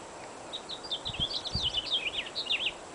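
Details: Blackbirds singing on a breezy spring day: a quick, continuous run of high chirps and twittering sweeps, with soft low wind gusts beneath.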